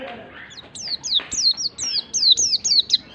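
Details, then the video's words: Lure song of a white-eye for a reluctant singer: a softer lead-in, then a steady string of about ten high whistles, each falling steeply, repeated at an even quick pace. "PANCINGAN PLECI MALAS BUNYI pleci malas bunyi langsung ngalas emosi"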